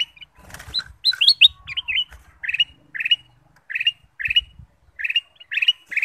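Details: Kutilang emas bulbul singing as a lure for other birds: clean, quick chirped notes, a busy cluster early on, then spaced two-note phrases roughly every half second over a quiet background.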